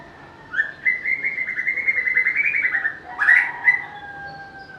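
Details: A White-rumped shama sings a long buzzy trill of fast repeated notes that slowly rises and falls, then breaks into a few sharper whistled notes and a trailing low whistle, with little background noise.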